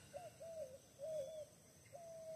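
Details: A dove, identified as a tórtola, in countryside by a tamarind tree where doves come to roost, around 5:30 a.m., gives soft, hollow coos: four smooth low notes about half a second apart, the last drawn out, over quiet hiss.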